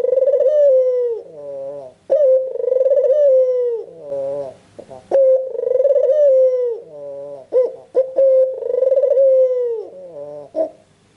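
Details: Albino Barbary dove with red eyes, calling steadily to stir other doves into calling: repeated phrases of a short wavering note, a sharp upward jump, then a long pulsing coo that sags in pitch at the end, about every three seconds.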